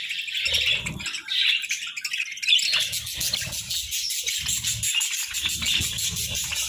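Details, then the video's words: Sunbathing budgerigars keep up a busy stream of high twittering and scratchy warbles, accompanied by repeated low thuds and rustling. "Sunbathing Budgies"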